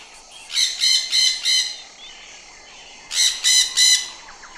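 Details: Parrot giving harsh, buzzy squawks rich in overtones, in two bursts of three quick calls separated by a pause of about a second and a half, over a faint steady background hiss.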